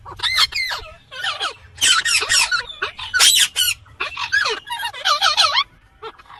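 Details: Nearly continuous harsh screeching from an Indian green ringneck parakeet, loud grating squawks in rapid groups with only short breaks.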